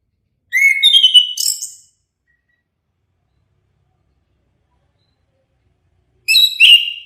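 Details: Orange-headed thrush (anis kembang) song: two bright, rapid whistled phrases roughly five seconds apart, each made of several quick slurred notes, in an otherwise quiet setting.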